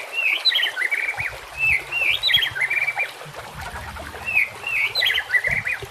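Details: White-rumped shama master song with natural ambience and flowing water: repeated rich warbled phrases of chirps and slurred whistles, a phrase about every second, with low rumbling noise underneath midway.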